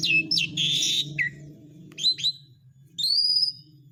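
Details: Asian pied starling, used as a calling lure for birds that have stopped singing: harsh squeaky bursts, short whistled slurs, then a long sustained high whistle, over a faint low hum.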